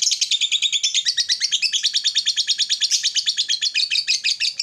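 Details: Gacor lovebird ngekek, a long trill played to set off a silent lovebird: dense, shrill, rattling chatter of rapid pulses, loud and constant, with nothing else audible.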